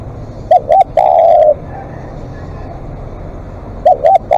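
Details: Spotted dove used as a live decoy, calling at length: two short rising coos and a long level croo, with the phrase starting again near the end; faint low rumble behind.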